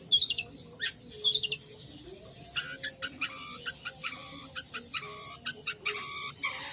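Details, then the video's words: Long-tailed shrike singing in full voice, harsh buzzy and scratchy notes in rapid repeated bursts, broken by short pauses, with a low steady hum underneath. "Burung Cendet/plentet Gacor"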